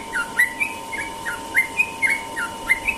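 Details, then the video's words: Sooty-headed bulbul singing in the morning in the rapid 'ropel' style: short whistled notes, some rising and some dipping, given in quick pairs about every third of a second, over a steady faint background hum. "burung trucukan ropel pagi"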